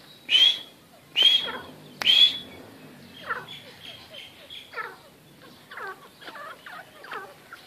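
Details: Black francolin kept at home, giving three loud, sharp, high notes about a second apart with a slight rising whistle. Fainter, descending chattering notes follow in a loose series.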